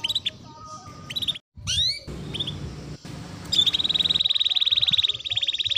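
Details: Canary song meant as a lure for other canaries: scattered chirps and curved whistles over a low murmur, followed by a sustained, rapid, even high trill.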